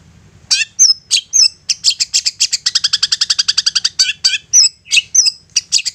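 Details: Long-tailed shrike (cendet), a persistent bird's lure song meant to provoke other shrikes into answering and singing: sharp high notes and slurred whistles, then a fast run of about twenty evenly repeated chips, ending in more whistles.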